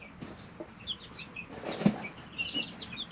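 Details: Chicks aged three weeks in a brooder giving scattered high peeps, fewer and softer than a full chorus, over light rustling and one sharp tap.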